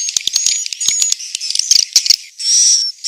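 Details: Swiftlets in Central Sulawesi calling at the roost: rapid irregular clicking and high chirps, ending in one drawn-out hissing buzz.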